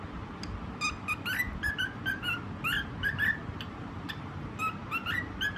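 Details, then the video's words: Whistled song of a white pet cockatiel, with short pure notes and rising slurs in irregular bursts, separated by brief pauses over a low background murmur. "Cute bird 🦢 singing video white parrot 🦜 cocktail"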